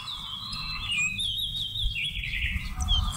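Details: November 2016 lure recording of a Seychelles magpie-robin for bird trapping: a flowing whistled phrase dipping and rising in pitch, backed by low rumbling noise.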